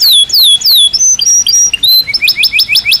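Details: Natural song of a Belgian canary with loud, high descending whistled slurs, a few sustained clear whistled notes, then a closing burst of rapid repeated upward-flicking notes.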